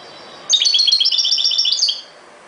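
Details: European goldfinch song in the ghoroub style: one bright, tinkling phrase of fast repeated high notes lasting about one and a half seconds, closing with a brief rising flourish.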